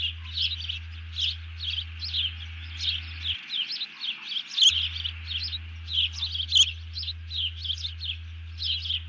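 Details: Alert calling of a bald eagle after it seizes a fish and another eagle drops down, 31 July 2020 around 04:42: steady run of high, thin, rhythmic chitters, two sharp clicks, and intermittent low hum.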